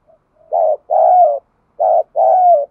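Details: Spotted dove used as a decoy, giving 'gáy sung' cooing to provoke other doves. Two paired phrases, each a short full coo followed by a longer, slightly rising-and-falling coo, are delivered cleanly with no background sound.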